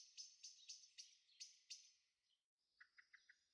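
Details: Harsh, high-pitched squeaky calls from young blackbirds in a Veluwe garden, Netherlands, late April 2014, repeated about four times a second. A few softer, lower chips follow after a brief pause.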